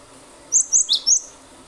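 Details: Energetic cinereous tit (glatik batu) in 'nembak' shooting style, used to coax other birds into song: four fast, piercing high chirps in under a second, with a steady faint hiss behind.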